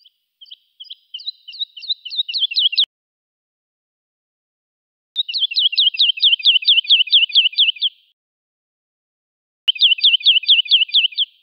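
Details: Woodlark in remnant heathland habitat sings three phrases of about ten to twelve liquid, down-slurred notes each, quickening as they go, with pauses between them.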